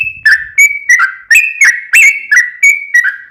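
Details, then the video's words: Sooty-headed bulbul song used to make a caged bird respond: a quick sequence of loud, rich whistled notes, alternately rising and falling, roughly three per second, with a faint low rumble at the start. "KICAU SUARA trucukan gacor ROPEL PANJANG pancingan trucukan agar bunyi MENJADIKAN trucuk gacor NYAUT"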